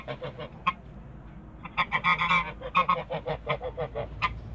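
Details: A pair of Toulouse geese, described as wild, in a backyard, giving a run of harsh, nasal honks in rapid succession, loudest in a dense burst partway through, then continuing as evenly spaced single honks.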